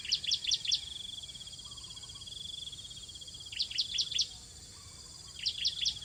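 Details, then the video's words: Hungry bar-winged prinia nestlings being fed at their nest: clusters of three or four piercing high chirps, separated by pauses, with a long thin buzzy trill running between the bursts. "Burung Ciblek Meloloh Anak yang kelaparan di Sarang"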